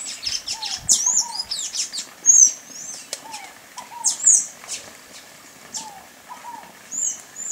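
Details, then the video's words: High, squeaky slurred notes of a Sayaca tanager in short bursts, alongside repeated lower falling whistles and light clicking chirps from surrounding birds. "SANHAÇO-CINZENTO (THRAUPIS SAYACA), SAYACA TANAGER, PIPIRA-AZUL, Sanhaço-do-mamoeiro, Sanhaço-azul."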